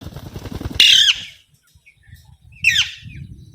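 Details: Alexandrine parakeet giving two harsh, rasping squawks about a second and a half apart, the first longer and louder, over a low rumbling background.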